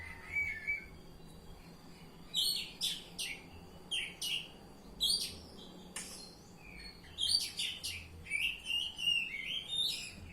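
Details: Oriental magpie-robin singing in the ngeplong style: bursts of sharp, high chirps and whistled phrases, some buzzy, come in clusters separated by short pauses across ten seconds, over a faint low hum.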